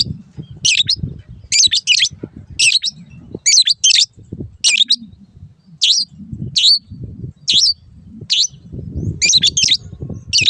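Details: Long-tailed shrike song used to train caged birds: short chattering bursts of high notes repeated roughly every second, over a constant low rumbling background.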